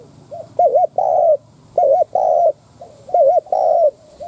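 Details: Loud 'đất thúc' cooing from a spotted dove lure bird meant to incite wild doves: three close phrases in four seconds, each a faint lead-in note, a wobbling double hoot and a longer, full, even coo.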